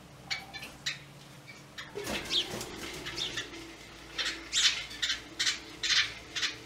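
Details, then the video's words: Quick clicking chips from a yellow-bellied wattle-eye, sparse at first, then a burst of rustling or flapping, followed by a denser run of harsh, buzzy notes. "Gelbbauchlappenschnäpper; Dyaphorophyia concreta; Yellow-bellied wattle-eye"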